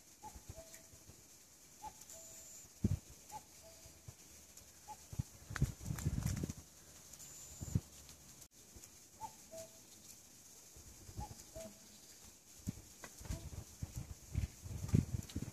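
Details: Series of falling two-note cu-ckoo calls from a Common cuckoo in the woods at Ilyeong, spring 2014, about every one and a half seconds, broken midway by bursts of low rustling and handling noise, with a thin high tone at times.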